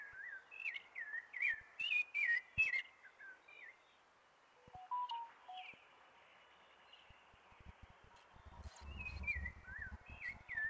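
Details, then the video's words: Thrush (sabiá) singing with the arrival of spring: varied clear whistled phrases, rising and falling, delivered in quick bursts with short pauses. Faint low rumble toward the end. "Sabia cantando com a chegada da primavera"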